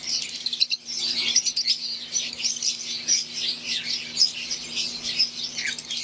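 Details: Fischer's lovebirds of the wild green type, kept in an aviary with Euwing birds, chirping as a group in a continuous high, squeaky chatter with scattered sharp peeps and a low background hum.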